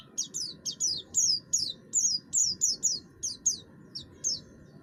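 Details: Oriental white-eye of the buxtoni form, singing steadily with a harsh voice meant to draw other birds into song; thin, very high down-slurred chips delivered in rapid irregular bursts over a low background hum.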